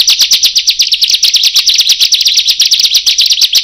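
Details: Intense, lure-style song of a bar-winged prinia: rapid, strident, buzzy high notes pulsing about seven per second, each a short rasping chirp, running without pause.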